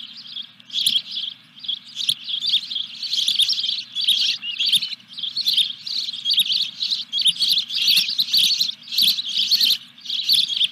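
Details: Osprey at a Dunrovin Ranch nest, 14 July 2021, third fish delivery: long unbroken run of excited high chirps, several per second, over a faint low hum.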